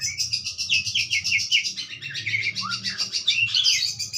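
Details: Budgerigar singing a dense fast warble of repeated buzzy chattering notes with a short whistled slide, continuous throughout.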